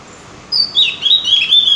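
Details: Javan grey-throated white-eye used to stir birds into song: a sudden burst of high, thin, slurred twitters continuing steadily to the end of the short recording.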